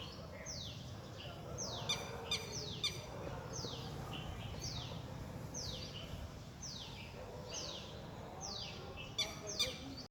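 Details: Red-wattled lapwing calling in a neighbourhood park, its call likened to "did he do it": shrill descending notes given in quick pairs and short runs, with brief pauses, over constant background noise and occasional sharp clicks.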